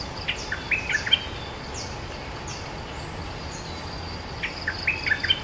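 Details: Cream-vented bulbul; song; answering a territorial rival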